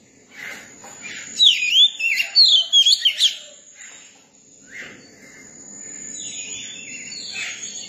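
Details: Young Oriental magpie-robin singing: a short burst of clear, varied whistled notes sliding up and down in quick phrases over about two seconds, then softer scratchy chatter, with a steady high hiss throughout.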